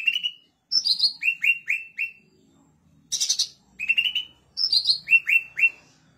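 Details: Blue-winged leafbird, known as cucak ranting, singing energetically, its song used to coax other leafbirds into singing: sharp high chirps followed by series of three to four quick down-slurred whistles, with a brief harsh buzzy note midway.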